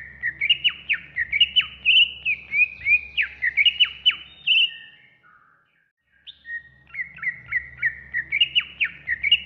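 Greater Green Leafbird pouring out bright, varied phrases of slurred whistles and quick downward sweeps, about one per second, with a brief pause midway over a faint low hum.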